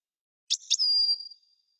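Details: European goldfinch singing: two quick buzzy notes followed by a long thin high whistle that fades, in a quiet setting with no other sounds.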